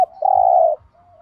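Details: Spotted dove thúc gù cooing meant to stir other doves into calling: a single long, even, mellow coo lasting about half a second, with soft low thumps beneath.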